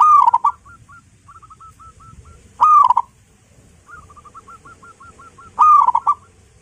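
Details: A local zebra dove kept at home gives loud, rolling cooing phrases about every three seconds as a lure to set off other doves, with a quieter dove's soft repeated coos between them.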